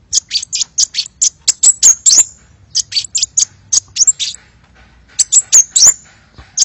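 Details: Hummingbird lure call, lively and chattering: sharp, very high chirps repeated in fast bursts of several notes with short pauses between, some slurred and squeaky, with faint clicking underneath.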